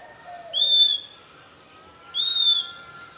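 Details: Puerto Rican flycatcher defending its nest against a pearly-eyed thrasher, a predator of eggs and chicks, in Puerto Rico, gives two high, clear whistled notes about 1.5 seconds apart, each slightly rising then level, over a faint insect hum.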